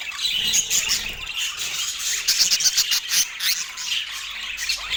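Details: Pet parakeet at its autumn morning feeding time in natural light, giving a dense stream of high, scratchy chirps and squawks that pulse rapidly and irregularly without pause.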